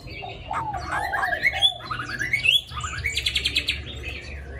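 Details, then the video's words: Caged hwamei, a tame bird with wild-style forest song that sings readily: rich run of loud slurred whistles rising and falling, then a fast trill of repeated high notes, with a low hum beneath. "họa mi thuần giọng rừng hay cực mau mỏ hót suốt móc ra là hót"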